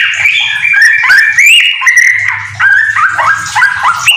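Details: Yellow-vented bulbul kept at home, singing ropel style with magpie-robin filler phrases: tumbling sequences of bright whistled notes stepping down and up, over a faint low humming drone.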